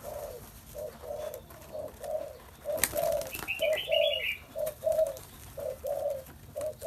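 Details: Spotted dove cooing in a steady series of low, soft two-part coos, short note then longer note, repeated about once a second, with a brief higher chirp from another bird midway.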